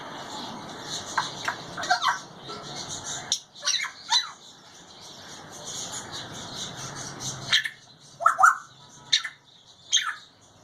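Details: A grey parrot in a cage gives harsh squawks and short whistled notes in scattered bursts, over a steady high-pitched hiss.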